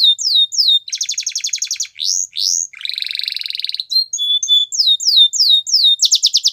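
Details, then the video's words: Canary singing for training: varied tours of slurred notes, a buzzy rattle, a rolling low buzz, a thin held whistle, then falling slurs and a final fast trill. "Canary Bird Sounds | The Best Canary Singing For Training"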